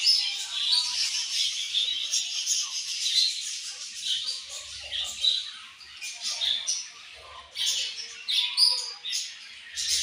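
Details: Budgies chatter nonstop, mixing sharp high tweets, squeaks and warbled notes in an overlapping stream, with short soft low thumps in the background.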